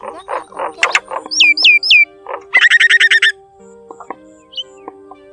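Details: Common (brown) myna, wild field-type flock call used as a trapping lure: a varied run of gurgling notes, three quick rising whistles, then a rapid, buzzy chatter of about a dozen notes, over a faint low hum.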